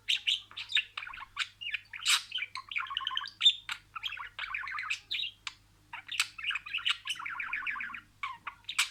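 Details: Budgerigar talking, repeating words one after another: lively warbled chatter with rapid pulsed trills, sharp squeaks and brief pauses, about two or three bursts per second, clean background.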